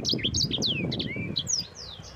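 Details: Yellow-fronted canary song as a training recording for other birds: clear bright chirps, then long descending whistled sweeps, loud and close over a murmur of low background noise.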